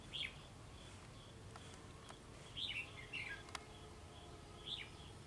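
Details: Treetop singing by a white-cheeked red-whiskered bulbul, praised as a fast and keen singer: brief, fairly faint whistled phrases spaced about a second apart over steady background hiss, with one sharp click midway.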